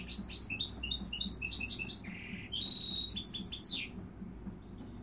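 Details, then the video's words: Goldfinch mule (goldfinch x dimorphic canary) singing quick twittered notes, a low nasal buzz, then a steady whistle followed by rapid chirps before falling quiet. "Goldfinch mule"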